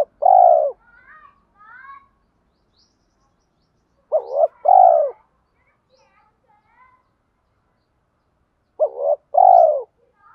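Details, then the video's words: Lure spotted dove in the 'giọng thổ' voice, calling to provoke rivals and pull wild doves in fast: paired coos, a brief clipped note then a fuller hooting one, repeated about every four and a half seconds, with soft twittering between. "chim cu gáy giọng thổ pha thúc đấu rút bổi nhanh về"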